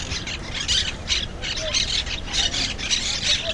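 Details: Monk Parakeet, also called Quaker Parrot, living wild as an invasive species at Malagueta beach, Malaga, GoPro 5 recording: loud scratchy screeches in quick uneven bursts, several overlapping, with light ambient noise.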